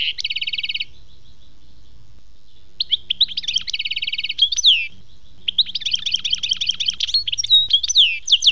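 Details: Goldfinch in khmis melyana style: fast metallic trills broken by pauses, rising slurred whistles, then a long tinkling twittering phrase near the end, with a soft low hum in the background.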